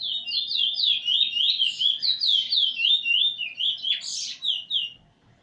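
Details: Eurasian bullfinch learning song from a tutor bird, 13 August 2020. A fast, even series of falling whistled notes, about four a second, broken briefly by a rough scratchy sound before the whistles resume.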